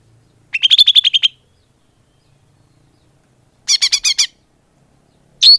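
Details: Greater green leafbird call used as a bird lure: short bursts of quick repeated chirps separated by long silences, ending with a single sharp note.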